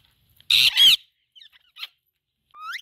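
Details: Indian ringneck parakeet, kept as a talking parrot, letting out a loud double harsh squawk, then soft clicks and a short upward-sliding whistle at the close.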